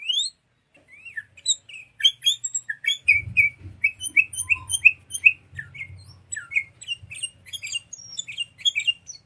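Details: Sooty-headed bulbul song played as a tutor for songbirds: steady rows of sharp chirps and slurred whistles with high squeaky notes above, over a soft low rumble in the middle section.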